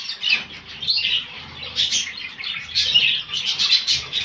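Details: Zebra finches of the grey eumo mutation in Morocco: a busy stream of high, short nasal chirps and tweets, overlapping in quick bursts, with soft wing flutters and a faint low rumble beneath.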